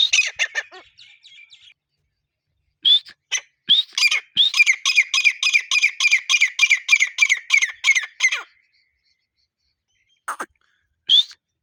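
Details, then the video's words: Grey partridge, known locally as teetar, during the breeding season: a burst of scratchy notes, then a pause, then a rapid run of harsh, evenly spaced squawks for about four seconds, followed by a few scattered rising notes. "Partridge birds voice | teetar awaz"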